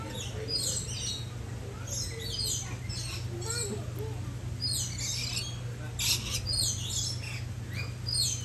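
Green-naped lorikeets give a run of shrill, screechy chattering squeals and chirps in quick bursts, over a steady low hum and faint voices.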